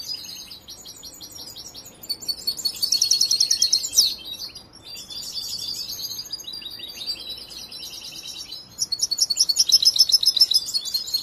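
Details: Young European goldfinch still in song training, raised from hatching: bursts of fast, high twittering alternate with quieter chatter, and two loud rattling trills stand out, one near the start and one at the end.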